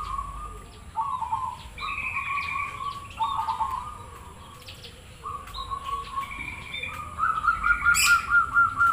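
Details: Zebra dove (perkutut cemani Krosing) singing to prompt other doves to answer: a series of low, bubbly trilled coos near the same pitch, repeated phrase after phrase with short gaps, plus a brief sharp high sound near the end.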